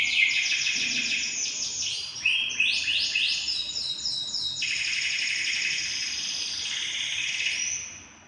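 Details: Songbird recording meant for training caged birds: unbroken fast trilling and shrill twittering phrases that shift between pitches, very busy and high, fading out at the end over constant background hiss.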